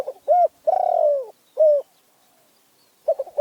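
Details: Spotted dove from Phrae province in Thailand singing a short held coo, a long throbbing descending coo and a clipped final note. After a pause, the stuttered opening notes of the next phrase begin.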